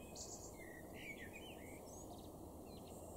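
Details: A male Common blackbird (Turdus merula) sings in a garden in Weener, East Frisia, northwest Germany, May 2022: a quiet, mellow fluted warble breaking into a high, squeaky twitter at the end, over steady low rumble.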